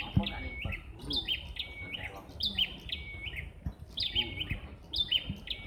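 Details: Bar-winged prinias calling back and forth like competitors, quick repeated chirping phrases with short level whistles, overlapping bursts throughout, faint low rumble beneath.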